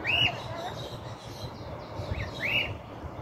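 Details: Free cockatiel, apparently an escaped bird, perched on a rooftop in 2023, uttering two brief arched whistles about two seconds apart against faint background noise.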